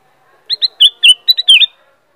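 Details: Kutilang emas, the black-crested bulbul, delivering one brisk phrase of six loud, ringing whistles, the later ones swooping downward, lasting just over a second in quiet surroundings.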